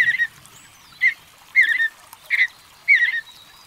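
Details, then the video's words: Mountain bluebird, a North American thrush, singing short, soft, slightly burry warbled phrases, five in under four seconds at uneven intervals, over a faint background hiss. "Mountain Bluebird Song"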